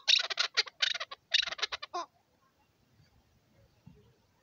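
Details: Local hunting chukar partridge giving two quick bursts of rasping, clucking notes over two seconds, followed by near silence with faint low rustling.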